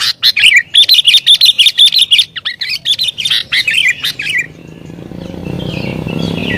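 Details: Lure recording of an agitated sooty-headed bulbul: a fast string of bright, bubbly chirps for about four seconds, then the singing stops and only low background rumble remains.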